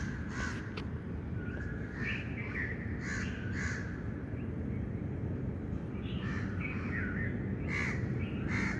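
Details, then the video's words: Outdoors, birds give scattered harsh calls and a few higher, sharper notes, in clusters at the start and the end, over a heavy low hum. "birds chirping sound"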